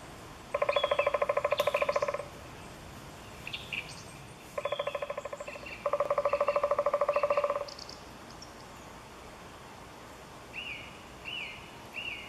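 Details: Eurasian three-toed woodpecker in Chvalčov, Czech Republic, August 2013, calling in three loud rattling bursts of rapid nasal notes, each lasting one to two seconds, followed by soft high chirps from other birds in a quiet background.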